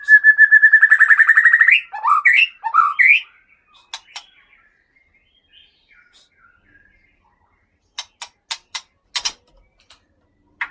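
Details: Aceh white-rumped shama of Gunung Leuser stock, kept as a breeding pair: a fast rattling trill followed by rich, varied warbled notes, then quiet, and later a run of sharp clicks.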